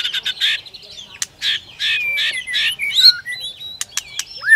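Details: White-rumped shama singing and clicking continuously to goad another shama into contest singing; harsh raspy bursts and sharp clicks alternate with clear slurred whistles, ending in a loud downward-swooping note.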